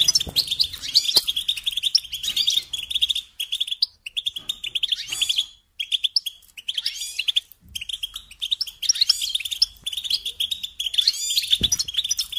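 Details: Goldfinch song, from a goldfinch care guide: energetic twittering phrases of bright chirps and buzzy rolls, broken by short gaps near four, six and eight seconds.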